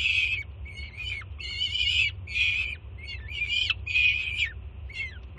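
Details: Young peregrine falcon at a Jersey City nest, June 2017, greeting its mother arriving with food. About seven grating, buzzy screams, some long and level, some short, crowd five seconds over a low background hum.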